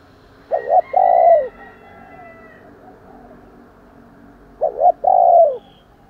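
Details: Spotted dove cooing to provoke fighting and calling in the morning: two low, hollow coo phrases, each a short double note then a longer rolling coo, about four seconds apart, over a quiet background.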